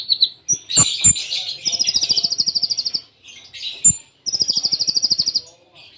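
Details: Konin masteran song, Cililin tembaan with short gaps: two long runs of fast beaded high trills, each over a second, separated by buzzy scratchy notes and thin whistles, plus low knocks.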